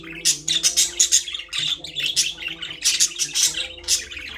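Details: Pet budgerigars chirping in a cage: bursts of high, scratchy chirps and squeaky notes in quick clusters, broken by short pauses, with a faint steady low hum behind.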